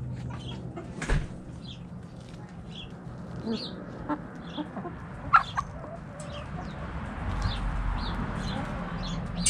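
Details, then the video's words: Backyard hens clucking while dust bathing in the dirt: scattered short soft clucks and clicks, with scratching and rustling noises and low background hum. "Chicken Noise Sound Roosters Crowing Hens Clucking!"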